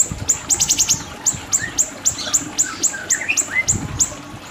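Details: Siri-siri bird singing for a training master: a burst of rapid stacked high chips, then steady high falling notes about three per second, with short lower rising whistles woven through.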